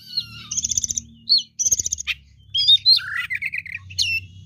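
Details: Fighter oriental magpie-robin in full song: rapid trilled bursts of bright notes, sharp upslurred whistles, and lower buzzy warbled runs, over a steady low mechanical hum.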